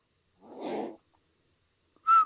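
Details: A pet talking common hill myna practising the River Kwai March gives a breathy, rasping half-second note, then after a pause a short, loud, clear whistle held on one steady mid pitch.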